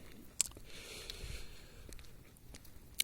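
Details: Quiet indoor room with a few sharp clicks and soft crunching, scraping noises.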